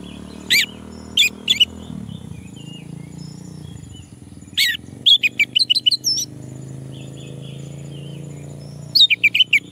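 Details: Male orange-headed thrush encouraged to sing: scattered sharp whistled notes, then a rapid series of short twisting phrases, over a steady low rumbling background hum.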